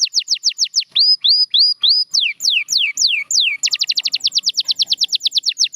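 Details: Champion canaries in song: falling whistles, then upward-hooked notes, then long sweeping slurs. The phrase ends in a fast, rolling trill of rapid repeated notes.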